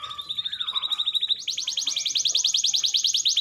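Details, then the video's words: Canary song used to prompt hesitant canaries; a steady low buzzy trill shifting up into a faster, brighter high-pitched rolling trill. "KENARI GACOR Terbukti Cocok Untuk Pancingan Kenari Susah Bunyi"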